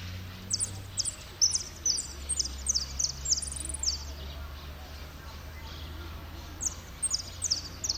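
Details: Contest-singing saffron finch at Merlo, third place, 03/01/2016, delivering repique: a burst of high, ringing notes in quick succession, a pause, then a final short run, with a low steady hum beneath.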